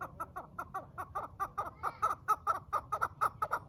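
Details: Farm-kept quail calling: a rapid series of short, harsh clucking notes repeated about twice per second, steady and dense throughout, with faint low background hum.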